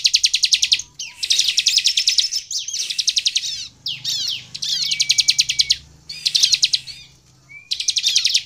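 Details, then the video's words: Persistent bar-winged prinia song, used to coax other prinias into singing: almost continuous fast, high, pulsing buzzy trills, phrase after phrase, interspersed with quick chips and a long thin whistle. "SUARA CIBLEK GACOR INI AMPUH MEMANCING CIBLEK LAIN LANGSUNG BUNYI DAN GACOR"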